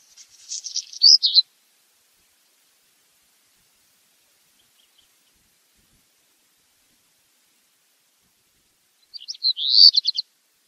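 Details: Black redstart song: two short high strophes about eight seconds apart, each a scratchy warble ending in a quick buzzy rattle, with silence between and no other sounds.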